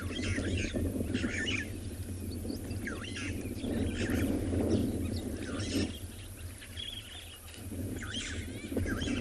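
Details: Starlings chatter at Chitwa Dam, Tswalu Kalahari Reserve, South Africa, on a 10 September sunset drive, several birds giving short chirps, whistles and squeaky notes at once, with pigeons nearby, over steady low rumble of rising wind.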